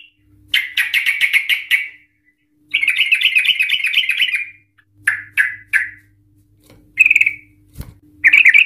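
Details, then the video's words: Emotional, chatty trucukan (yellow-vented bulbul) used as a lure for ropel song. Two long rapid chattering trills are separated by a pause, followed by a few short isolated chirps, over a faint low hum. "Trucukan Gacor EMOSI Ropel panjang Ngikluk Ampuh untuk Pancingan Trucukan agar bunyi Ropel"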